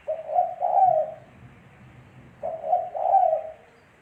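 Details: Spotted dove song: two low, mellow cooing phrases about two and a half seconds apart. Each is a brief hoot followed by a longer, slightly quavering coo, with a quiet background.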